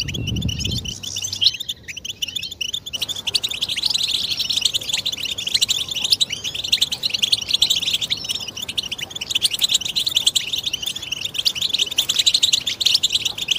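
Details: European goldfinches singing together as a group, used to stimulate silent males into song: dense, continuous twittering and tinkling chatter with quick buzzy trills, many birds overlapping without pause after a brief low thump at the start.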